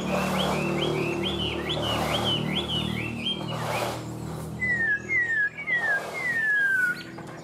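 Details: Caged tame Chinese hwamei repeating a bouncy run of looping whistled notes, then a series of four or five clear downslurred whistles, over low humming background.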